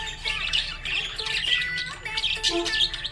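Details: Budgerigar in a happy mood, chattering with harsh squawks and short chirps in bursts, over a low musical backing.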